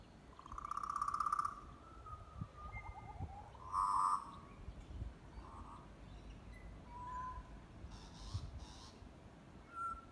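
A butcherbird gives rich, flute-like warbled notes in scattered phrases, one long opening phrase and shorter ones after, over low rumbling background noise.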